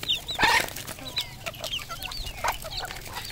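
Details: Red junglefowl at a Cambodian farm giving sharp, high, hooked peeps irregularly, with one louder harsh note near the start and clicking noises in between.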